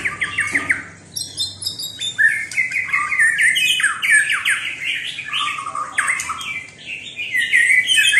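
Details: White-rumped shama singing a rich, varied run of whistled and slurred phrases, shifting constantly between mid and high pitches, with scratchy notes mixed in and no long pauses.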